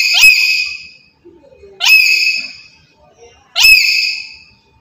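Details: Black-capped lory used as a lure bird for trapping, giving three loud upswept screeching squawks spaced nearly two seconds apart, with soft faint chatter between them.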